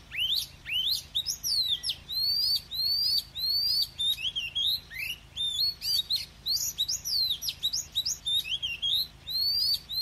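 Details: Oriental magpie-robin pouring out forest-style song: repeated clear rising whistles alternating with sharp sweeps and twittering runs, sustained throughout, over a faint background hum.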